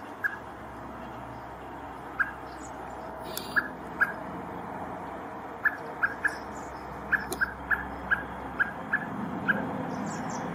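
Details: Poland, 7 July 2023: a male common blackbird looking for its fledgling utters a long series of crisp, clipped alarm notes, sparse at first, then coming in quicker bursts, with faint higher chirps from other birds.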